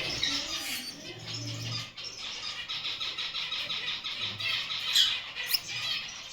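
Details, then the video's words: Pet Gouldian finch giving dense, high-pitched chirping and twittering chatter, with rapid overlapping notes throughout and a few sharper squeaks near the end, over a faint low rumble. "MY GOULDIAN FINCH"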